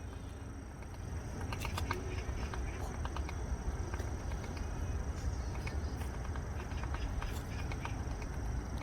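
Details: Woodpecker in a park tapping at a tree while drilling holes for insect larvae: a series of short dry knocks, irregularly spaced, over steady low rumbling background noise.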